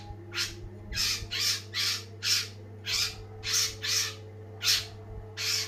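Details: Cendet or long-tailed shrike in lively song, delivering a steady run of about ten loud, harsh, rasping notes, roughly two per second, evenly spaced, over a faint low hum.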